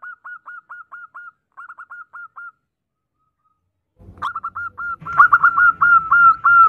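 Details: A female zebra dove calls the male with two quick bursts of short even whistled notes, a pause, then louder, denser overlapping notes over a faint low rumble.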